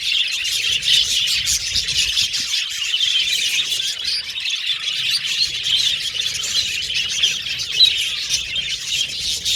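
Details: Group of pet Australian budgies whistling and chattering, an unbroken busy warble of high chirps and short squawks lasting the whole stretch.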